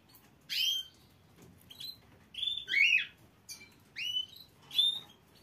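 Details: Domestic canary giving a series of short, bright, sweeping chirps about once a second, some notes sliding down and others rising, separated by quiet gaps over a faint low background hum.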